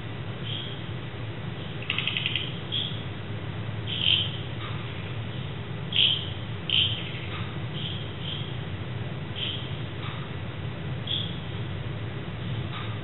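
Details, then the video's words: Birds singing at night in Kerala, India, on 14 November 2010, giving brief, high whistled chirps at irregular intervals, roughly every one to two seconds, over a steady low rumble of background noise. "singing birds of my last night"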